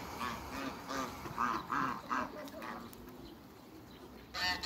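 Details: A pair of large African geese; a run of about six short, nasal, harmonic honks in quick succession, then a pause and one more loud call at the end, over steady background hiss.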